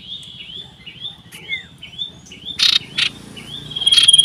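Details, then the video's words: Common iora in loud, persistent song while seeking a rival, 27 December 2022: a series of short upslurred whistles repeated rapidly, broken by a few harsh buzzy bursts. "Burung SIRTU CIPOH berbunyi nyaring gacor mencari lawan"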